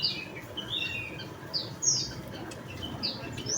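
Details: Javan munia (emprit bondol jawa) giving a rapid run of thin, high, slightly drawn-out chips and slurred notes, fairly loud, background otherwise quiet hiss.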